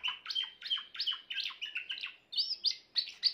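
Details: A grey Timbrado canary sings a quick series of bell-like, slightly descending notes, about four per second, then switches to a higher, sharper rolling phrase.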